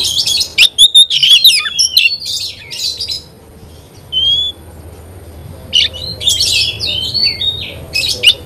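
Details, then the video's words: Kacer, the Oriental magpie-robin, delivering loud varied phrases: rapid scratchy chatter and clear whistles at the start, a lone pure whistle midway, then a harsh burst of notes after a quiet gap. "Kacer gacor"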